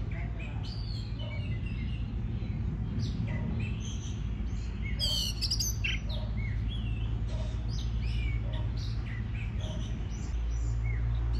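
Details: Oriental magpie-robin singing, played to stimulate other birds to sing: a long run of varied whistled notes and short rising slurs, with a brief loud harsh burst near the middle, over a steady low hum.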